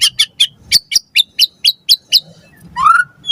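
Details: Lure recording for training captive birds: white-rumped shama giving about ten sharp, high chipping notes at a steady rhythm, then a single rising whistled slur.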